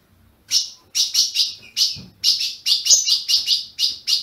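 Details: Kept Ultramarine grosbeak in Brazil gives fast, sharp, high chip notes, roughly two to three per second, starting after a half-second of quiet, as a warm-up sound for another captive bird.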